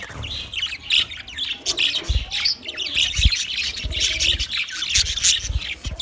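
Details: Budgerigar flock of twenty pairs in busy chatter, layered high chirps, warbles and squeaks running constantly, punctuated by several dull low thumps.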